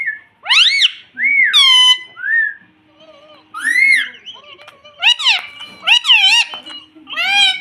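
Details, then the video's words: Baby Indian ringneck parrot kept as a pet, talking and saying "mummy": arched, squeaky, speech-like syllables and smooth rising whistles following one another almost continuously. "Indian Parrot talking || baby parrot sound || parrot talking || mummy bolne wala tota"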